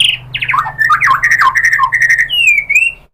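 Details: White-rumped shama, a female calling the male, giving a warbling jumble of slurred whistles and twisting notes, ending in a clear downslurred whistle.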